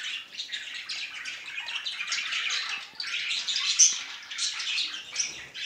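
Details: Affectionate male budgerigar chattering in a continuous, dense, scratchy warble of rapid clicks, squeaks and buzzy notes, with one brief thin whistle midway.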